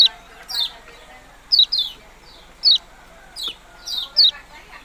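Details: Yellow-bellied prinia, called kecial kuning, giving short, high notes that slur sharply downward. They come singly or in quick pairs, roughly every half second to second, over faint background hiss.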